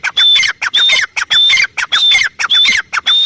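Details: Loud, shrill call of a female grey francolin: high whistled phrases alternating with short squawky notes, steadily repeated about twice per second throughout.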